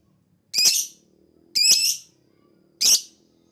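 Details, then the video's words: Lovebird sound meant to make other birds answer: three loud, harsh, screechy calls, each nearly half a second long, spaced about a second apart over a faint background hum. "Pancingan Lovebird Ampuh NGETIK PANJANG NGEKEK Semua Burung akan Emosi Nyaut"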